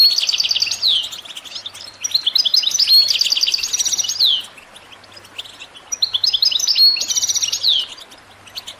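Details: Caged European goldfinch in loud, close song: two long bursts of rich twittering trills and tinkling notes, separated by a short pause.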